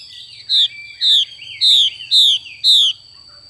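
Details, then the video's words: Female hwamei performing the 'xùy' call, five strong descending rasping notes in steady succession about half a second apart, with faint softer twitters between them. "Họa mi mái xùy cực đỉnh"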